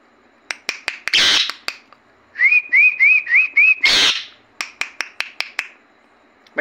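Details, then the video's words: Pet parrot indoors, shown as a talking bird: a quick series of five rising whistled notes, with sharp clicks before and after and two loud harsh rushing bursts. "Talking Parrot"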